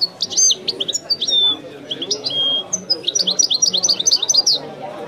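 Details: Goldfinch song in the authentic Wiidani style, made of high, quick twittering phrases mixed with clear drawn-out whistles and finished by a fast run of repeated sharp notes.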